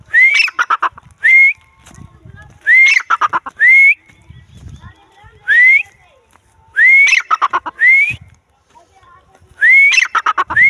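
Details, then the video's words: Grey francolin heard in the wild, delivering upslurred whistles and clusters of harsh notes in separate bouts a couple of seconds apart, with soft low background noise in the gaps. "bhura teetar|teetar awaz"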